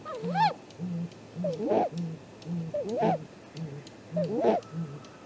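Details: Great grey owl visiting its nest tree at dawn, 2 April 2018, nest camera: rising-then-falling whooping calls roughly every 1.3 seconds over a regular train of deep, muffled hoots.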